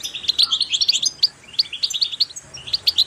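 A goldfinch sings a quick, tinkling twitter of high, bright notes in lively bursts with short pauses. No other sounds stand out.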